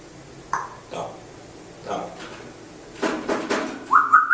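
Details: African grey parrot talking: a string of brief speech-like syllables and mumbles, then a rising whistled phrase in several quick notes at the close.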